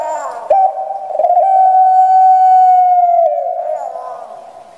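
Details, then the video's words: Kept puter pelung, a Barbary dove with a large body and a small, shrill voice, from Java, Indonesia. It gives a rough rising opening, then one long, steady, clear drawn-out note that falls slightly at the end before fading. "Postur JUMBO SUARA Kecil Mlengking // puter pelung"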